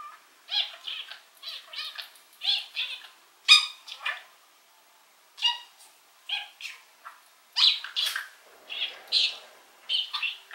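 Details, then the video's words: Rainbow-coloured male pet budgerigar talking, heard from a distance: separate bursts of scratchy, buzzy syllables and clicks, with short quiet gaps between phrases. "Talking Parakeet Bird"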